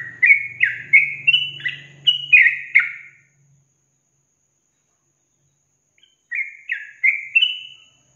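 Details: Yellow-vented bulbul (Pycnonotus goiavier) song used as a lure to prompt other bulbuls to sing: a quick run of bubbly, liquid notes, about eight in three seconds, then a pause and a shorter phrase over a faint low hum.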